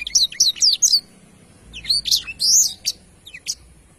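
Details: Black-throated canary song for tutoring songbirds: a quick series of four looping high whistles, a pause, then more slurred notes and isolated sharp clicks over faint background hum.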